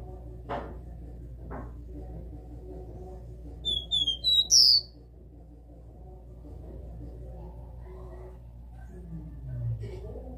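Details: Caged capped seedeater giving one phrase of the classic three-note 'dó' song: a brief sequence of clear high whistles ending in a louder rising note, preceded by two faint knocks and followed by low room noise.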